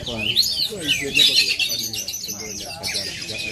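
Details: Oriental magpie-robin from Aceh singing bright rising whistles and fast chatter, while a person talks briefly in the background at the start.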